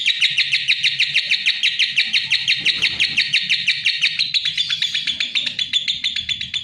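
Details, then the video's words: Rapid, harsh chattering of a lovebird, a dense string of buzzy high notes repeated about three per second in groups, with a slight rise and shift near the end. "Suara Kicau Burung LOVEBIRD"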